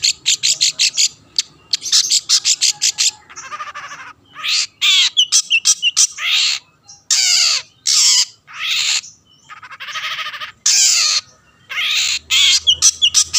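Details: Long-tailed shrike singing as a lure to provoke rival shrikes into song: harsh broadband rasping bursts alternating with repeated short chattering notes, loud and continuous for about thirteen seconds.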